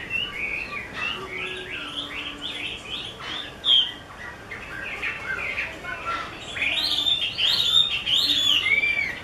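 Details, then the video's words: A Chinese hwamei of the 'mơ' type owned by an artisan sings varied chattering and whistled notes, growing louder and more ringing in the final seconds. "Họa mi mơ siêu vip bộ cực đẹp, hót cực hay của nghệ nhân"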